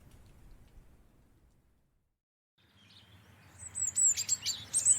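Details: In January, a European robin sits in a garden tree declaring its territory; after a quiet start it sings a brief burst of high, thin, tumbling notes that rise and fall quickly, with faint background hiss.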